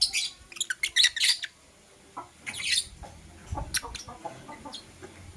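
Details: Morning chirping from pet lovebirds, Blue Opaline and Parblue Euwing Opaline: rapid clusters of shrill, scratchy chirps at the start, a louder harsh burst mid-way, then softer scattered chips over low background rumble.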